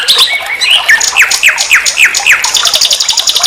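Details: Common nightingale song from a master recording meant to tutor other songbirds: a rapid run of sharp, downward-slurred chirps, about four a second, ending in a dense, high, buzzy rattle.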